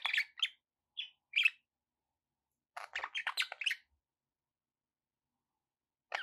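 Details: Budgie chatter indoors: short squeaky chirps in quick succession, then a one-second tumble of raspy warbled notes, silence, and a final chirp.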